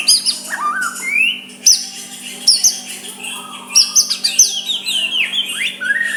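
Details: Soft rival-provoking song of a white-rumped shama; high sweeping whistles, rising slides and crisp chirps delivered in rapid varied phrases, a constant low hum in the background.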